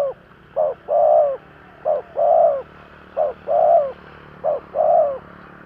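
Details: Spotted dove cooing as a lure for wild doves: four evenly spaced couplets, each a brief clipped coo then a longer rounded one, over a constant soft hiss.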